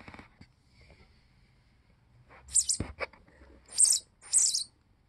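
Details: Baby sparrow begging to be fed, recorded 22 June 2022: three short, harsh, hissing high-pitched bursts, separated by pauses of about a second, with faint clicks and low rumbles before them.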